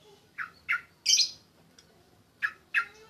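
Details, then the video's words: Sooty-headed bulbul during a mental test, giving short harsh squawking chirps, single or paired, with one louder, higher buzzy note in the middle and quiet gaps between. "tes mental burung trucuk"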